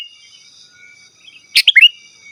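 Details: Sooty-headed bulbul phrase for luring wild birds and tutoring kept ones: a single short burst of a sharp high note then two or three fluty falling-rising notes, with thin insect trilling behind.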